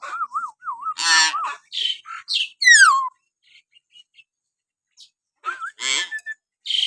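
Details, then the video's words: Common hill myna whistling naturally, a tutor recording meant to provoke pet mynas to sing: wavering, looping whistled notes, harsh rasping bursts, a steeply falling squeal, sparse quiet ticks, then more harsh calls and a short whistle. "masteran burung beo suara siulan alami"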